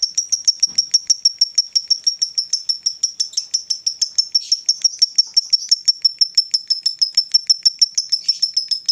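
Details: Ngekek, the long chatter of a female fighter lovebird used to provoke rival birds: a continuous, fast stream of piercing high-pitched notes, about three per second, lasting nine seconds without a break.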